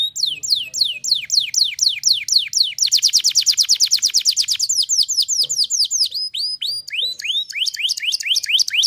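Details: Canary song: loud, rapid down-slurred whistles building into a very fast dense trill, then continuing with quick repeated whistled notes.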